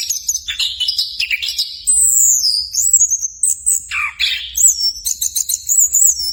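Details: Orange-headed thrush, also called punglor kembang, in a training song: sharp high chirps, then a long sliding whistle and a steep downward swoop, ending in rapid high twittering phrases.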